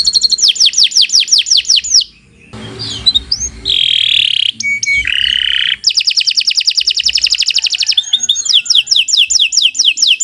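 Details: Canary song recorded as a lure for other birds: repeated falling whistled notes, a break with varied harsher and tonal notes, then a rapid trill and more descending whistles.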